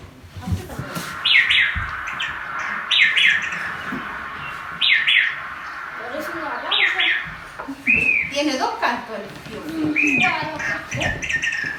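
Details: Many-colored rush-tyrant (Tachuris rubrigastra), known locally as siete colores, singing at the Río Juancho wetland, Estaquilla, Chile, in 2024: short, squeaky high chirps in quick bursts about every two seconds, with people's voices and other chirps later.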